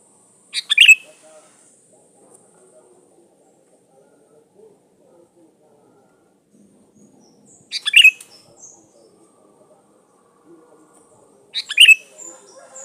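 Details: Sooty-headed bulbul song used as a lure to call rivals: three short, sharp, high chirpy bursts spaced several seconds apart, with near silence and a faint low murmur between them.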